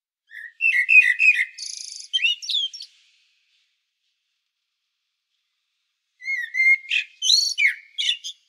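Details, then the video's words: Two song phrases from a common blackbird on Medvednica Mountain, Sljeme, Zagreb, Croatia, recorded by Panasonic Lumix DC-TZ90: mellow fluted notes mixed with high chattering twitters, separated by about three seconds of silence. "Blackbird Song"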